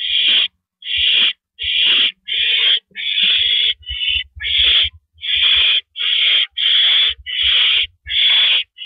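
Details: Owl sitting on a porch perch on the evening of April 9, 2012, repeating rough hissing screeches at a fast, somewhat uneven pace, about a dozen in nine seconds, with low thumping sounds mixed in.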